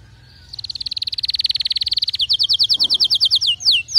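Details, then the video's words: Canary song played as a tutor for canaries that do not sing or sing weakly: a long, fast, even trill of rapid high notes, then a slower run of sharp descending whistled notes and two longer down-slurs. "اذا عندك كناري لا يغرد أو ضعيف الصوت أتركه يستمع اهذا الغناء وشوف النتيجة"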